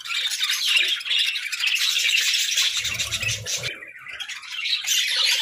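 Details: Several pet parakeets chatter busily in a rapid stream of squeaky, warbled notes, briefly dipping midway before resuming loudly, with a low knock in the background.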